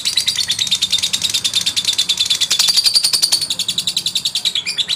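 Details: Brief burst of a male lovebird's rival-provoking song, steady, rapid, rasping notes repeated in a tight rhythm without pause.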